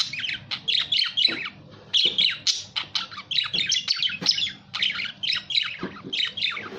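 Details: Budgerigar chattering in quick, bright bursts of squeaky, warbling notes, each burst under a second long, running almost without pause through the recording.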